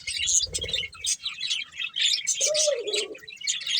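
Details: Colourful budgerigar breeding pair chirping: dense, rapid high chatter and warbling twitters throughout, with a lower, smoother rising-falling note midway and a brief low rumble near the start.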